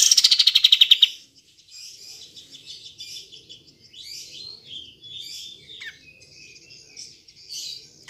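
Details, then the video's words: Sooty-headed bulbul (kapas tembak) used to stir silent birds into song: a loud rapid trill of about a dozen pulses slides downward, then quieter scratchy chattering and short whistled notes continue. "Pancingan Kapas Tembak Macet / Malas Bunyi"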